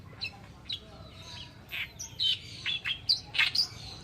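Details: Kerakbasi alis putih, the Oriental reed warbler, in masteran tutor song: spaced, croaky chattering notes that grow louder and come faster toward the end, against faint background noise.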